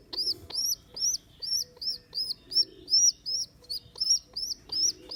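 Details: Rescued baby rock pigeon, abandoned by its mother on a neighbour's roof, on its second day in care. Thin, high squeaky calls, each rising then falling, repeated rapidly about every third of a second in steady bursts; faint low background hum.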